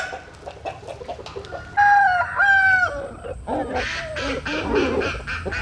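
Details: Rooster crowing at dawn as chickens sun themselves in the morning; a clear multi-part crow with a rising start and a long, level note, other fowl calling behind.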